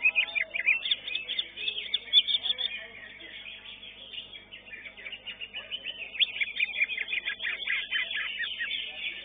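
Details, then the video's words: Greater green leafbird in a songbird competition, placed fourth, pours out a fast, high, jumbled song of sweet chirps and rapid trills with barely a pause, with other birds faintly audible. "CUCAK IJO"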